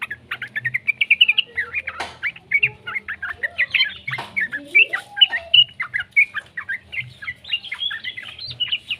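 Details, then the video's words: Juvenile yellow-vented bulbul singing, played to prompt other bulbuls to sing; a busy stream of short chirpy notes with a few lower upward-sweeping calls and two sharp clicks. "suara burung trucukan muda PALING AMPUH buat Pancingan trucukan agar BUNYI"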